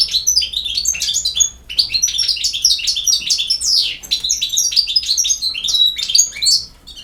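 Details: Campero-style song from a European goldfinch: a continuous, lively stream of sharp chirps, buzzy notes and short slurred whistles at a fast, uneven pace.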